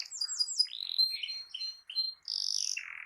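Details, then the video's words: Short canary phrase aimed at stimulating a silent canary: quick descending chirps, several warbled whistles, then a harsh buzzy burst ending in a lower rasping note. "Terapi Ampuh Burung Kenari Macet Dijamin Langsung Ikut Bunyi II Masteran Suara Burung Kenari Gacor"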